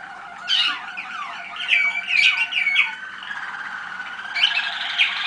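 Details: Young Malinois Waterslager canaries bred in 2010, song recorded at a listening session on 25 November 2010; sweeping downslurred notes in quick bursts, then a softer continuous bubbling trill.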